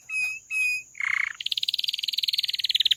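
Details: Canary song opening with two short steady whistles and a brief buzzy burst, followed by a long, fast, slightly rising trill of repeated high notes.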